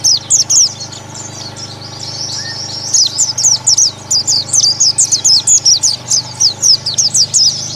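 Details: Massed Oriental white-eye song used as therapy to prompt ngalas singing against rivals: thin, high chirped notes, a quieter stretch, then a steady run of loud, rapid, sharply repeated twitters through the second half.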